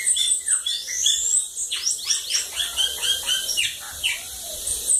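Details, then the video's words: Bananaquit song at Lagoa d'Água, Brazil: a continuous, hurried jumble of high thin whistles and rapid down-slurred chips, dense and wheezy throughout. "Sibite cachorro loco da lagoa d'água"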